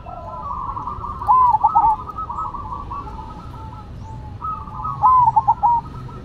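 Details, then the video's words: Zebra dove (perkutut) song contest between a cemani and a silver bird: two clear phrases about four seconds apart, each a ringing opening note and rapid clipped coos, with constant faint cooing from other doves behind. "Perkutut Cemani Gacor Vs Silver Gacor"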